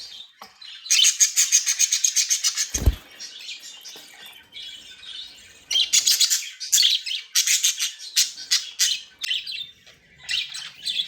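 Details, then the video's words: Budgerigars happy and playing, with fast rattling chirp series broken by a low thump, followed by several bursts of high chattering. "Happy & Playing Beautiful Budgies sounds"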